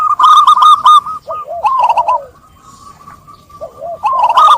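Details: Zebra dove song that opens with a dense burst of quick rolling coo notes, then falling coos and a trilled phrase, a quiet stretch, and a fresh rapid run at the close.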